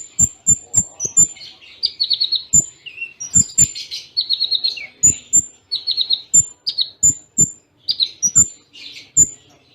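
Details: Kolibri Ninja song in the Cililin tembaan style, closely spaced: thin high whistles repeated rapidly, bursts of buzzy trills and short descending notes, with frequent low percussive thuds throughout.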